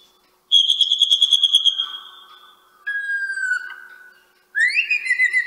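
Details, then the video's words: Common blackbird in the courtyard of the church of Agios Vasileios on Nisi, Paralio Astros, Greece, 23 March 2017 at 12:45; three clear whistled phrases: a long steady tone, then a lower falling one, then a rising upswept note. "Common blackbird «Turdus merula»"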